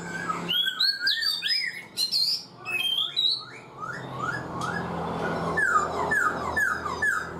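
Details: A black-throated laughingthrush, caged four months, mixes squawky chatter and sharp slurred whistles, ending with a series of four evenly repeated descending whistles.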